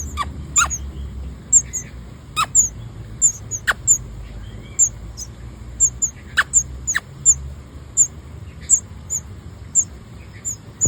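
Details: Baby birds in their nest begging for food at feeding time, mouths open: rapid high thin squeaky peeps repeated irregularly, several overlapping, with occasional sharp clicks and a low steady background hum.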